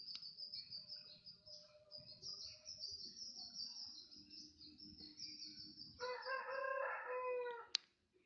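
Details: Bird singing in crocokan style, a long high thin sustained trill broken by short chips, ending in a loud rich harmonic warble followed by a sharp click.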